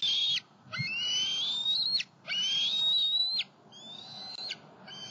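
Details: Two young bald eagles flying about near their nest, a pond and a snag tree in Southwest Florida, July 2020; long, strained whistles that climb steadily, four in a row with short gaps.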